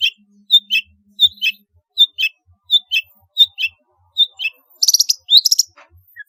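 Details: Long-tailed shrike in energetic song with varied filler phrases, used as a lure to get reluctant shrikes singing: crisp paired chirps repeated about every 0.7 seconds, ending in a rapid burst of high, squeaky notes.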